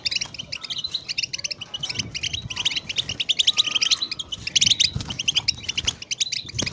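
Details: European goldfinch twittering chatter played to encourage silent goldfinches to sing, a continuous busy stream of quick high notes that grows louder and denser toward the middle.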